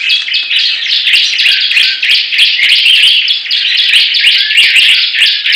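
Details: Energetic song duel between Bar-winged prinias: a thick, buzzy tangle of high chirps at a steady fast pace with no clear gaps, the birds' notes running together.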